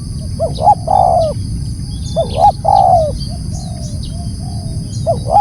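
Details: Spotted dove repeating its loud coo twice, with a third beginning at the end: paired short hoots leading into a drawn-out croon that slides downward. High chirping birds and low background rumble continue throughout.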